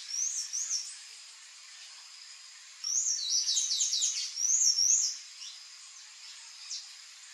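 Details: Palm tanager (Thraupis palmarum), a wild bird visiting a backyard, giving high, squeaky twittering phrases: a short burst at the start, then a longer run of rapid, sibilant chips and slurred notes.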